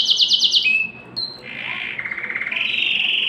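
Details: Canary song played to stimulate females for mating: a quick series of high repeated notes, then a steady whistled tone, a short high note, and buzzy rapid trills shifting between pitches, all loud and clear with little background noise.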